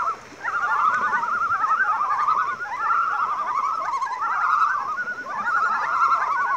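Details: A group of 13 common loons, playing, running and flying about on the water, call together in overlapping, wavering tremolos, quavering steadily at a mid pitch with hardly a pause.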